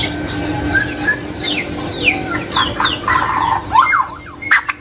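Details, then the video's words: A male quail calls: a string of thin, high whistles slurring downward, a few per second, ending in harsher squawky notes over a steady background hiss. "Suara Burung Puyuh Jantan"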